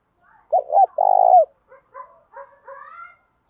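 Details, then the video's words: Lure spotted dove calling to attract wild doves: two quick hooked notes, then a long, buzzy, vibrating coo that slurs down at the end. Faint higher twittering and rising whistles follow. "tiếng chim cu gáy thúc và gáy gọi bổi"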